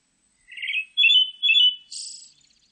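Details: A Pale thrush phrase: a low trilled whistle, then two steady, louder fluted notes. It closes with a high, buzzy, rattling flourish. The background is quiet.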